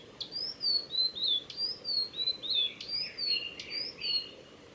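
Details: Singing male Blue-and-white flycatcher, Tanzawa's Mizusawa forest road, Japan, recorded 8 June 2020: a continuous flowing phrase of high, sweet downslurred whistles with crisp attacks, ending in a few lower, softer notes.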